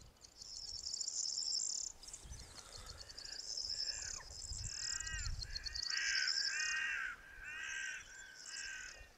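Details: Greater flamingos (Phoenicopterus roseus) give harsh, goose-like nasal honks, several birds calling in overlapping bursts, over a constant high, thin buzzing.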